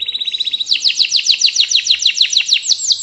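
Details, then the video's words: Canary song, a bird said to be in top singing form: fast repeated high chirps, then a run of rapid downward-sweeping notes repeated about three times a second, all high-pitched and loud. "SI KENARI 10 JUTA GACOR TIADA TARA"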